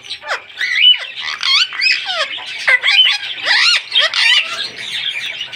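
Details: A pet Indian ringneck parrot talking: loud, raspy chatter of rapid squawks and slurred speech-like phrases, with a rising and falling pitch, in near-continuous bursts with brief pauses.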